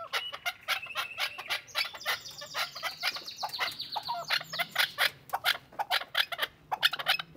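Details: A Chukar partridge gives a rapid run of harsh, clucking chuck notes, about four or five a second, rising into a louder, excited chattering series.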